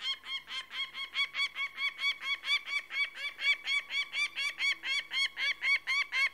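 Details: Persistent grating cackle of a peregrine falcon, roughly twenty-two harsh, nasal notes over several seconds at an even, rapid beat, with faint low background hum.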